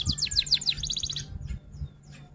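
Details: Brief burst from an F1 canary singing rol tembak: a few strong down-curving whistles followed by a quick, even high trill, then fading faint ticks.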